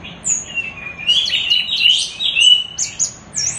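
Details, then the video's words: Orange-headed thrush (anis merah) sings a rich, continuous warble of slurred whistles and high thin notes, varied and rapid with no pauses, in a long recording meant as master song to train other birds. "MASTERAN ANIS MERAH TELER"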